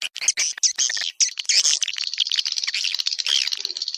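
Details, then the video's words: Swiftlet sounds used to attract swiftlets: several clipped chirps open into a steady stream of shrill, chattering twitters with fluttering high notes throughout. "Suara Burung Walet untuk Tarik"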